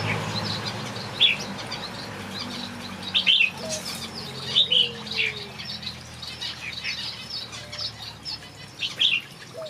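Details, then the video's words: Backyard aviary finches giving scattered bright chirps in small bursts with pauses between. A few lower drawn-out whistles come in the middle, over soft background twittering. "Watch these finches sing a beautiful melody in my backyard"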